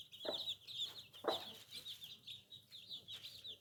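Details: Baby chicks giving rapid, high-pitched cheeps in an unbroken chorus, with two dull taps and scattered lower rustles beneath.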